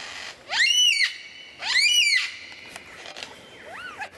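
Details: Lyrebird giving two loud, drawn-out, arching calls with rich overtones, each lasting about half a second, then quieter scattered notes and a final soft rising-falling whistle.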